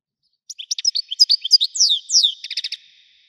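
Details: Widani-style goldfinch song: a quick run of bright chirps and liquid twitters, two downward-slurred whistles, then a tight stuttering series of clipped notes.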